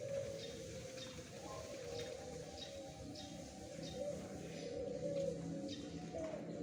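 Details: Zebra dove singing on the morning of 1 April 2021, a low run of quick, soft cooing notes repeated in bursts over a steady background hum, with faint higher chirps from other birds.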